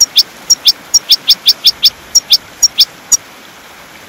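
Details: European goldfinch song for training caged birds: a steady series of about sixteen sharp, high single chirps spaced roughly a fifth of a second apart, over faint constant hiss.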